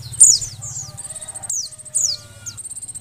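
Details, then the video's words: Calling female Oriental white-eye in breeding condition, used to prompt males to sing: high buzzy trills and steep downward-sweeping notes, repeated several times, over a steady low rumbling hum. "suara pleci betina birahi"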